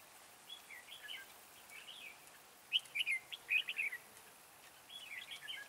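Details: Caged decoy red-whiskered bulbul singing to lure other bulbuls into a trap: lively, clear whistled phrases of rapid up-and-down notes, loudest in the middle, softer phrases before and after, against light outdoor noise.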